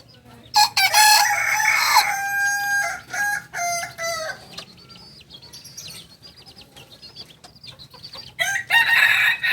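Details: Crowing of a two-month-old Kukuak Balenggek chick, a singing chicken from Tigo Lurah in Solok regency: a long strong opening crow, several shorter broken notes, a quiet stretch, then another loud burst near the end.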